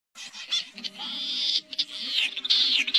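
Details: Common snipe call used to lure snipe into nets at night, August 2024: harsh, rasping, high-pitched calls in quick, uneven bursts, several overlapping, over a faint steady low hum.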